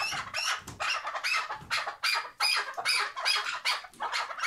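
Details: Tethered chukar partridge from Şırnak, Turkey, giving a run of harsh, broadband clucking notes repeated roughly two or three times a second, uneven in loudness, with no other clear sounds.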